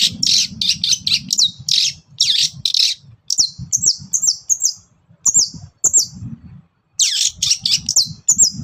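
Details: Long-tailed shrike singing energetically in the morning, used to provoke other birds into answering; loud harsh buzzy bursts alternate with sharp high slurred notes, with short pauses and a low rumbling background.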